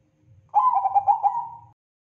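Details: Zebra dove of the Bangkok type singing lively: a single rolling phrase of quick, bubbly coos lasting just over a second, trailing off smoothly, with a soft low rumble underneath.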